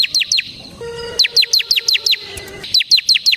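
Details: Bar-winged prinia, a semi gacor bird singing in ngebren style, used as a lure and tutor for training birds: two rapid bursts of sharp, high, downward-slurred chirps, about eight then ten notes, with a low steady hum between them.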